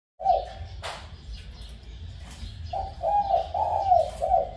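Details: A spotted dove that has only recently begun cooing gives low, soft cooing notes in a short, run-together phrase.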